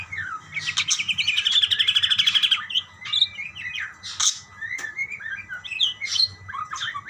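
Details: Budgerigars calling back and forth: a fast buzzy rattle of rapid repeated pulses for nearly two seconds, then looser chirps, sharp clicks and short rising whistles, over a low hum.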